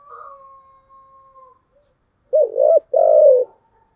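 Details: Spotted dove cooing, 'giọng thổ chiêu gù' voice. A faint, steady whistled tone comes first, then one loud phrase: a short throaty coo and a longer, mellow, slightly falling coo.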